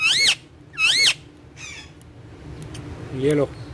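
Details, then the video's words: Green ringneck parrot on a wall, which talks in Urdu and Hindi, gives two loud, harsh, wavering squawks about half a second apart. A softer rasping note and a faint low voice-like sound follow over room hum. "Talking Parrot Speaking On Wall In Urdu Hindi | Cute Ringneck Green Parrot Having Fun On Wall"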